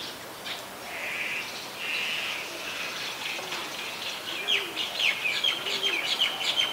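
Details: Great (white-vented) myna, Ubon Ratchathani, Thailand, 18 January 2021: buzzy, drawn-out notes, then a quick run of sharp, varied chirps and squeaks, with a few low, soft notes underneath.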